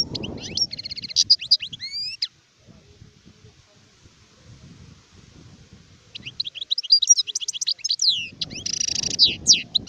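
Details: Goldfinch song, adult bird, recorded 2019: a busy phrase of twittering slurred notes and buzzy trills, a quiet gap of several seconds, then a second energetic bout ending in a nasal buzz.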